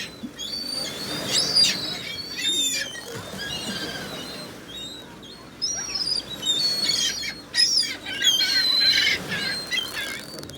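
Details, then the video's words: Seagulls everywhere: a crowd of gulls giving overlapping squealing and mewing calls, loudest in bursts near the start and end, over steady outdoor background noise. "Seagulls, Seagulls everywhere!!!"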